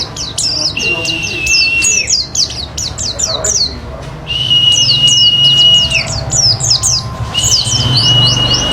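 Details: Oriental white-eye, or pleci, song meant to spur other birds to sing: rapid high twittering chirps interrupted by three long, steady, flat whistles, with low rumbling background noise.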